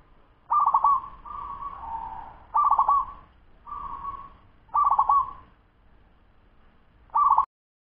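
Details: A 10-month-old local zebra dove sings fast, pairing loud stuttered trills with softer smooth coos in alternation, five phrases spaced about a second apart before a sudden stop.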